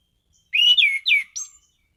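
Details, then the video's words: Caged orange-headed thrush in full song gives a quick phrase of rich, slurred whistles, a high rising-falling run followed by a short sharp note. "Burung Anis Cendana Gacor mapan.!!!"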